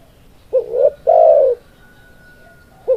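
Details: Spotted dove giving a short rising note followed by a sustained low coo, with the start of the next phrase at the end and a faint steady tone in the background.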